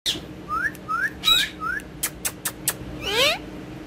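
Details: Pet rose-ringed parakeet having fun and talking with a mobile phone in Urdu and Hindi: a few rising whistled notes, some sharp clicks, then a harsher buzzy squawk.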